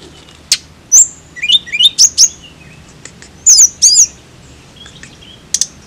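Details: {'caption': 'Tledekan song of thin, high chirps and quick downslurred whistles, delivered in irregular clusters with brief pauses, ending with a few faint notes, background otherwise quiet.'}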